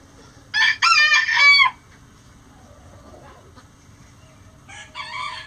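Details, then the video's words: Rooster crowing before dawn while the flock leaves the coop: one loud harsh crow of choppy bursts lasting about a second, a quiet pause, then a fainter second crow beginning near the end. "Rooster Crowing Chicken Sounds | Before Dawn"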